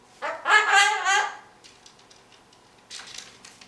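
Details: Young Goffin's cockatoo, about five months old, chattering while playing in her cage setup: a loud harsh burst of three quick squawking notes, then faint soft clicks and scratchy chatter, followed by a person speaking.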